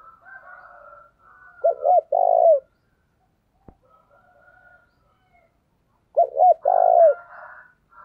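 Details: Decoy spotted dove luring doves for trapping, thổ đồng voice: two identical phrases about four and a half seconds apart, each two brief coos then a long coo, with soft whistling in between.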